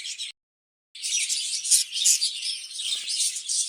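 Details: Caged breeding budgerigars: a short burst of high chirping, then a brief silence, then dense, scratchy warbling and twittering that continues to the end.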